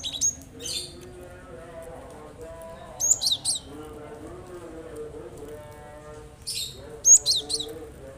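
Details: Cinereous tit singing to coax quiet birds into song, giving short high chirp phrases of several notes every three to four seconds, with a low murmuring background in between.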